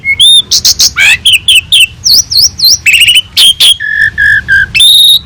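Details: Asian pied starling master recording with lavish fill-ins to tutor other birds: a whistled note, loud harsh chirps, three repeated V-shaped whistles, a rattling trill and a row of steady whistles.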